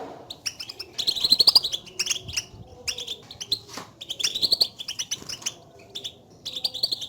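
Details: European goldfinch batbata contact calls meant to spur a quiet caged goldfinch into song; clusters of bright chirps with rising buzzy phrases, separated by short gaps.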